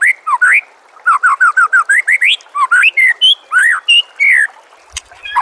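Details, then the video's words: White-rumped shama master song used to train a caged bird to respond and sing. Rich, loud whistled phrases: a quick series of upslurred notes, then varied rising and falling whistles with sharp high accents. "murai batu anda dengar suara MASTERAN burung seperti ini"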